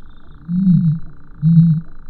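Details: Two deep booming grunts from a common ostrich, each about half a second long and roughly a second apart, low and resonant over a quiet humming background.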